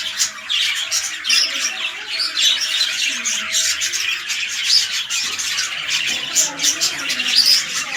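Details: Red-eyed lutino budgerigars in a breeding pairing, king-size male and undersized female: lively high chirping and grating squawks, steady overlapping warble with short sharp notes.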